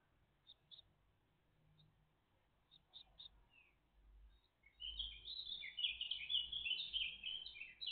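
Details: A great tit family on 14 June 2023, around 09:48: a few thin, high chips, then a dense, continuous chorus of shrill, squeaky calls from about the five-second mark, over a faint low rumble.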